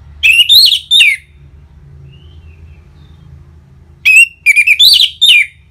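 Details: Orange-headed thrush, used as a lure so caged birds answer: two bursts of lively whistled notes, rising and falling in pitch, separated by a few seconds of near silence.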